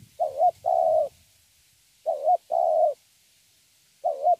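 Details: Thổ-style cooing from a young wild-caught spotted dove: two clean double coos, each a short inflected note and a drawn-out mid-pitched one, then a third short note, with quiet pauses between.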